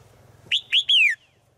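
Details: Female forest bird calling a male: a single bright phrase of three ringing notes, the first short, the last longest and sliding downward.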